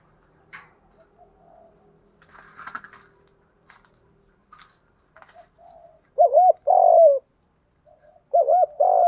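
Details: Captive decoy spotted dove cooing to provoke and lure wild doves. After several seconds of faint tapping and clicking, two loud, low two-part coos arrive near the end, each a short wavering note followed by a longer, smoother one.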